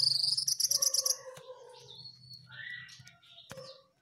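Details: Jongkangan bird singing vigorously, recorded a day before it went missing: a rapid burst of high, bright notes stuttered about ten times in one second, then separate thin whistles, some sliding downward, over a faint low hum.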